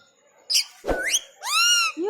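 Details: Pet Rose-ringed parakeet (ringneck) talking: a short squeak, a sharp click, then rising harmonic-rich voiced syllables imitating speech, ending on a lower rising note.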